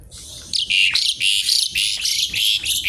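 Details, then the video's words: Javan pied starling sings in harsh, crackling kretekan style: loud raspy bursts come in quick succession, roughly three a second, laced with thin whistled tones. "jalak suren gacor kretekan nggaruda"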